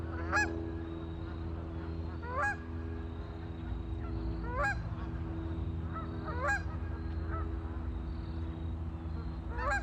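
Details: Ducks on a lake giving loud, nasal, honking calls roughly every two seconds, each a short harmonic burst, with fainter calls between them and a constant low hum beneath.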